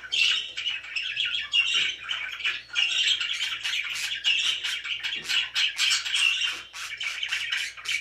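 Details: Pet budgerigars, very happy, keeping up a long busy chatter of warbling chirps and clicking, scratchy notes from several birds at once, with a soft background hum.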